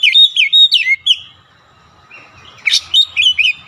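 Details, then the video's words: Kacer singing nonstop through its isian phrases: a fast string of clear, bouncing whistles, a brief quiet gap, then a sharp burst followed by more rippling whistled notes. "KACER NGOTOT BONGKAR ISIAN"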